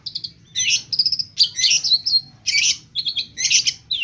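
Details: Long-tailed shrike song packed with mimicry: short whistled notes mixed with loud, raspy, chattering bursts and brief slurred whistles, fast and varied.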